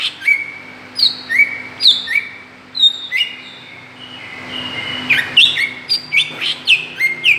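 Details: Lure sound of a greater green leafbird, meant to provoke other birds: bright whistled notes stepping down in pitch, given in short groups with a quieter gap in the middle, then a quicker run at the end.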